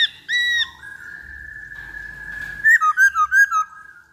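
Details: Black-throated laughingthrush lure song: an arched whistle, a long level whistled tone, then a rapid run of about six short bouncy whistled notes.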